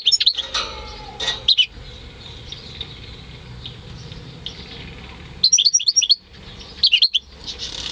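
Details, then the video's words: Home-bred European goldfinch × canary hybrid recorded in May 2015, giving quick high twittering phrases in separated bursts with quieter pauses between them and a faint room hum underneath. "Saka Melezi Ötüşü"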